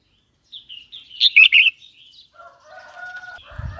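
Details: Red-whiskered bulbul singing, a recording meant for provoking new or wild birds and tutoring young birds: soft lead-in notes, then a rich three-note warble, followed by faint steady tonal hum and a low thud.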